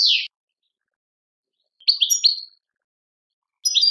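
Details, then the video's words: Short snatches of European goldfinch song in the Algerian Tadmait style: a quick slurred note, a pause, then a few clipped, rising high chirps and a faint twitter at the end. "chardonneret chant tadmait"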